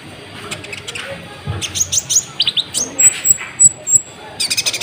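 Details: Sunbird song, used as a lure to stir up and provoke other birds: busy high twittering and thin chips, then a run of short, evenly spaced, very high piercing notes, with a faint voice in the background.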